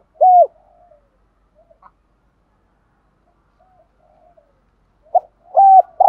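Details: Spotted dove kept as a decoy, cooing to rouse a caged newcomer. One clear coo opens, followed by long near-silence with faint soft murmurs, then a short note and another steady coo near the end.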